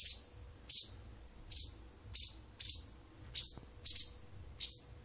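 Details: Wild bird singing to an indoor cat, a daily habit every morning and evening for almost a month: sharp high chirps repeated about every half second, eight notes in quick succession, with a faint low hum behind.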